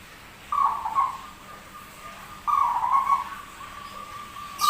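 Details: Unusual-voiced zebra dove singing frequently: a warbling, bubbling coo phrase, then a longer rolling one about two seconds later, a steady thin tone carrying on between them and a sharp knock at the end.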